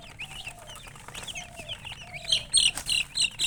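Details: Chickens with a hen chirping: a dense run of short, high, downward-slurred peeps, about four a second, growing louder toward the end, over a low steady hum and a faint lower tone.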